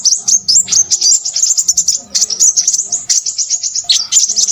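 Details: Crimson sunbird in noisy, agitated song, pouring out quick high-pitched chips and trilled twitters in dense bursts, each burst rising and falling in loudness, with faint low background hum.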